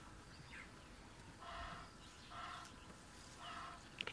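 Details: Egyptian geese calling in the background during an elephant sighting on a safari drive: three harsh, nasal honking bursts about a second apart, distant over a low rumble of wind and ambient noise.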